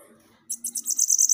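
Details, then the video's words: Bananaquit song meant to rouse captive birds: after a quiet start, a sudden high-pitched sputtering trill of quick buzzy notes, growing louder toward the end. "CANTO para FOGUEIA SIBITE, deixe seu SIBITE FOGOSO!"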